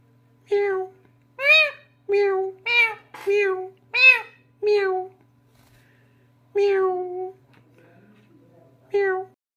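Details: Pet parrot meowing like a cat indoors: a quick string of about seven nasal, arched meows, then a gap and two longer, flatter meows, over a faint constant low hum.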